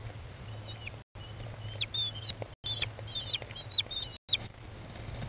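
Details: American kestrel mother feeding her chicks in a nest box on 20 May 2011 at 13:54, chicks on day 15, about halfway to fledging; thin, high, short chirps in scattered bursts over a steady low hum, with brief dropouts in the sound.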